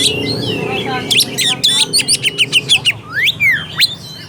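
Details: Oriental magpie-robin song used as a lure to rouse a lazy, unaggressive bird: a loud run of sharp whistled chips, slurred rising and falling notes, and a fast rattling burst, with a low hum behind.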